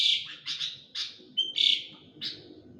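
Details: Agitated sooty-headed bulbul seeking attention: loud clipped chirps roughly every half second over a steady background hum.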